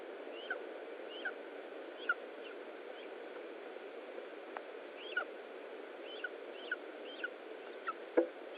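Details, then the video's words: Lesser spotted eagle at a nest in Estonia during feeding, 20 July 2012 at 15:45; short sharp slurred call notes repeat roughly every half second to second over steady broadband hiss, with one louder click near the end. "Estonian LSE Nest ~ Eha & Koit - Feeding"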